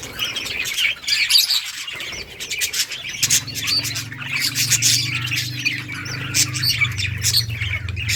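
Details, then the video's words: Budgerigars in a colony, playing and chirping in late August 2023: busy high-pitched warbling and squawks from several birds, joined midway by a low steady hum in the background. "budgies beautiful colors playing and chirping sounds for lonely birds"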